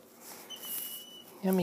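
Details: Hungry fostered baby Mississippi kite in Oklahoma, rescued after falling from a tree in intense heat, begging while hand-fed: a high, level whistle of about half a second, then a woman's coaxing voice.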